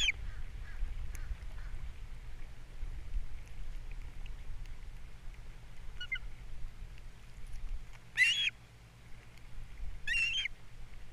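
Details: Osprey at a Captiva nest on April 3, 2022, heard through a nest camera while the male delivers fish and the female feeds chicks; mostly wind rumble, then two brief sharp bursts of high chirping calls near the end.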